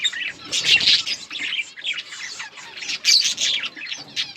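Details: Colony of breeding budgerigars chattering together: busy layered warbling, chirps and scratchy notes rising and falling in loudness, with a bright whistled note near the middle.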